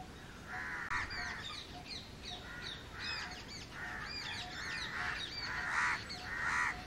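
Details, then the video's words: House crows (Indian crows) cawing naturally: harsh, nasal caws repeated roughly once a second, overlapping as several birds call together over steady background noise. "Crow bird Cawing Voice"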